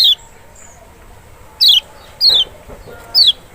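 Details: Lemon-bellied white-eye (kecial, Lombok or Sumbawa) meant to trigger a reply from a reluctant bird: four loud, clear notes each gliding steeply downward, spaced about half a second to over a second apart.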